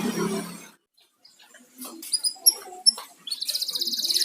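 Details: Pet canary kept at home: after a brief burst of low noise, sharp high single chirps spaced about half a second apart, then a fast, very high rolling trill.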